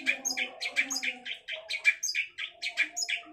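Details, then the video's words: Long-tailed shrike singing a rapid, jumbled chatter of short rasping and squeaky notes with brief gaps. "Burung cendet gacor"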